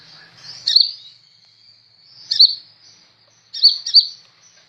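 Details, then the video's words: Sunbird recorded as tutor song for cage birds: faint high buzzing hum broken by short loud squeaky twitters, three separated bursts with the last one doubled. "Burung Kolibri ninja super gacor cocok buat masteran"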